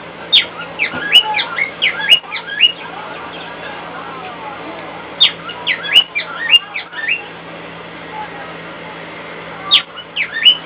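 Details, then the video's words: Cockatiel kept as a pet, singing back at a hairdryer used in the next room. Three bursts of rapid, bright whistled notes rise and dip, separated by pauses of a few seconds, over constant appliance hum. "Fred singing to a hairdryer in the next room"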